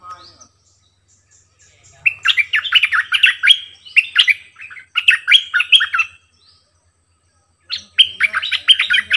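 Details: Decoy bulbul in full song, repeating many song phrases: three bursts of quick, bubbling, whistled notes rising and falling, separated by brief pauses, with faint low background hum.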